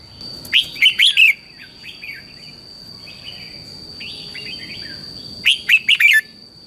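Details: Red-whiskered bulbul morning training song used as a lure: a loud cluster of rapid, bright warbled notes, softer twittering phrases, then another loud burst at the end. A steady high whine persists underneath.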